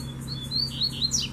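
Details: Double-collared seedeater, a strong brown-plumaged male appearing during trapping with a female in the bush, giving short high whistled notes rising and falling, with a steady low hum underneath.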